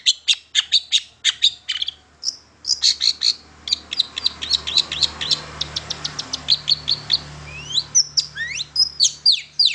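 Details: Long-tailed shrike in lively song, used as a lure to prompt other shrikes to sing: rapid series of sharp high chips and short whistled notes in quick bursts, with a brief slurred phrase near the end over a faint low hum.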